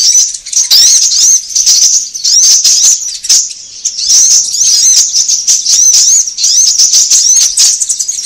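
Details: High-pitched sunbird lure sound for attracting birds: dense clusters of thin, arched tweets coming in surges with short quieter gaps, backed by crisp clicking.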